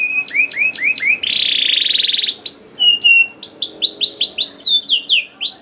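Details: Canary singing as a lure to get young birds singing: repeated downward-sweeping whistles, then a long rattling buzzy trill, followed by fast chirped phrases of falling notes.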